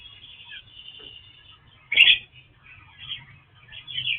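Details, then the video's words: Kacer wulung, a rare Oriental magpie-robin: soft thin warbling gives way to one loud, sharp burst of notes at mid-clip, followed by quieter twittering chirps and a steady low hum. "Kacer wulung raja si burung langka"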